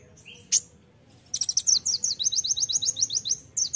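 Olive-backed sunbird: a couple of thin high whistles, then a rapid, very high-pitched trill of sharp, repeated down-slurred notes, several per second.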